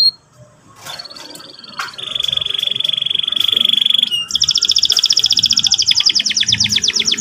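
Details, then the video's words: Canary singing in the morning: a sharp high note, then a long steady whistle, a brief pause and a fast, even rattling trill of repeated high notes to the end. "pancingan burung kenari pagi hari terapi paud cepat bunyi ngeriwik ngerol"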